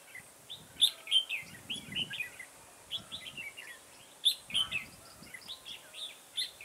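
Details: Red-whiskered bulbul singing as a trapping decoy on 9 October 2017, with loud, sharp whistled notes run into quick warbling phrases, repeated in bursts with faint rustling underneath.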